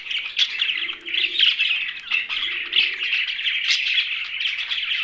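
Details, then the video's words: Chirping of young budgerigars: busy, scratchy high-pitched chatter running nonstop, with brief louder squeaks and a soft low hum in the background. "Young Budgie's Sound's"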